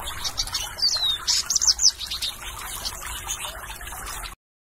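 Western Bluebird giving a quick run of soft, high chirps and short clear whistled notes, some slurring downward, over a steady trickling water-like hiss.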